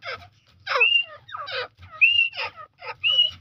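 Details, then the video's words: Grey francolin (Jangli Teetar) calling: harsh, raspy broadband bursts, each topped by a short clear whistled note, repeated about every 1.3 seconds, over a low steady hum. "Jangli Teetar ki Best Voice"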